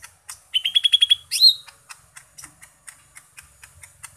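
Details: Green leafbird (cucak ijo mini) singing an 'isian seabrek' song packed with varied material: a quick run of about seven clear, evenly spaced whistled notes, then a sharp rising squeal, followed by a steady series of dry clicking ticks.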